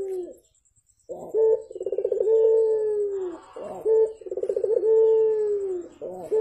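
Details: Bright, close Javan turtle dove calling in the morning: each phrase opens with a short note, ripples into a quick stutter, then stretches into a long smooth coo that droops at the end; repeated twice with clear breaks.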